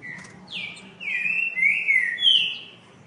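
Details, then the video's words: A rufous-bellied thrush sings a loud, fluty phrase of drawn-out whistles: a short opening note, then long slurred notes swooping down and up, ending on a higher sustained whistle, with a faint low hum beneath. "Trinca ferro canto lindo"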